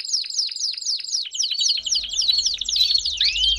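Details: Belgian canary singing to warm up other canaries, a series of clear downward-sweeping high notes repeated roughly twice a second, ending in a rising whistle over a low hum.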